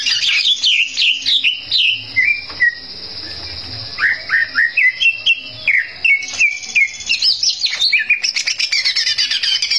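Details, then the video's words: Greater green leafbird in full lively song, meant to provoke rival birds: a rapid, varied run of clear whistled slurs and chirps, some rising and some falling, with a steady high whine behind and faint low rumbling. "cak ijo gacor bikin, lawan ngamuk"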